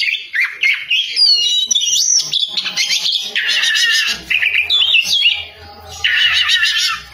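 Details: Singing Oriental magpie-robin, loud and energetic: sweeping whistled notes, twisting slurs and chattered bursts in quick succession, with a short lull near the end before a final harsh phrase, over a soft low hum.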